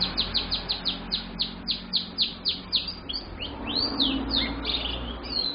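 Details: Young canary, kept as a lure bird, singing busily: a fast run of repeated sweeping chirps about four per second, then a denser warbled phrase, over a low steady hum.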